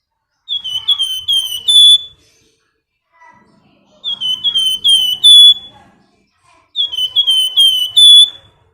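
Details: Flamboyan female calling the male gives three evenly spaced phrases of slurred whistles about every three seconds, each ending in a long, bright steady tone.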